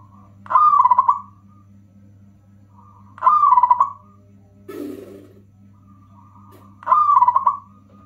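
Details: Loud local zebra dove song used as a lure for other doves and to set silent birds singing: three rolling trilled coo phrases about three seconds apart, one short low rustle between, steady electrical hum throughout.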